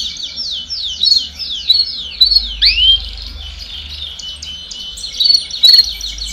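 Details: Canary song aimed at prompting young birds to sing sooner: quick series of descending trill notes, a sharp rising swoop near the middle, then bright whistled accents over continuous warbling.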